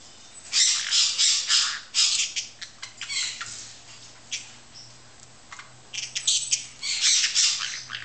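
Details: Golden-winged parakeet, kept together with a Cobalt-winged parakeet, gives harsh, high squawks and chatters in quick bursts of several notes, with short pauses between, over a faint low hum.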